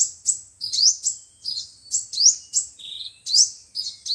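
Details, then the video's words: High, bright sunbird twitters from five-colour and seven-colour birds, used as trapping playback: quick upswept chirps repeated roughly once a second in an energetic, uneven sequence. "Tiếng chim hút mật 5 màu và 7 màu"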